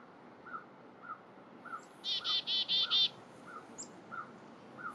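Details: Black-capped chickadee foraging in November in upstate New York gives a quick run of five harsh, buzzy dee notes, against a steady series of soft, low chips from another bird about twice a second.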